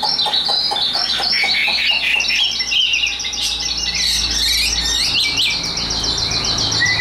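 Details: Tame caged Chinese hwamei kept for competition, pouring out a dense, continuous high warble of rapid chattering and whistled notes. Phrases overlap with little pause throughout, over a faint low background rumble.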